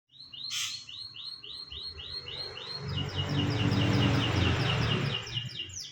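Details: Canary song used as a master recording for training other birds: rapid series of repeated sharp, bright chirped syllables in a fast trill, overlaid midway by a loud low rumbling background noise.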